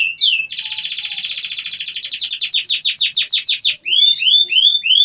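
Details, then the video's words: An American Singer canary opens with a short slurred note, runs into a long, rapid trill that gradually slows into separate downward strokes, then ends on bright upward-sweeping whistles. "American singer canary"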